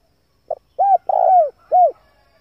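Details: Used to attract wild doves, a male spotted dove delivers one deep four-note cooing phrase. A clipped opening note is followed by a rounded coo, a long tremulous downslurred coo, and an arched ending.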